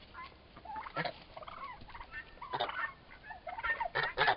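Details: Young turkey toms, about four months old, squabbling. Quieter scattered yelps and short whistled, wavering notes, then sharper squawks near the end.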